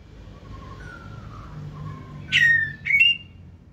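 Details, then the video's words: Quiet low whistles drift from a caged white-rumped shama, 2024 season, forest-voice singer, before two loud ringing whistled notes break out in quick succession. "Chòe lửa bông hót giọng rừng"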